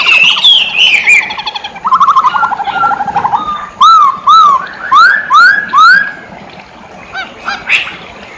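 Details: Masked laughingthrush singing actively. Falling whistled trills and a long warbled phrase lead into six loud, rising whistles repeated about twice a second, followed by softer scattered notes.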